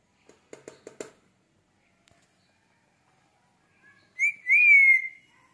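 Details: Male Indian ringneck parrot in a quiet room: a few soft tapping clicks, a pause, then a bright whistle that climbs and slowly slides down.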